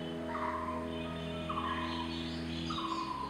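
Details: A coppersmith barbet, calling to its partner, gives hollow, low metronomic notes, three in about three seconds, over a steady mechanical hum.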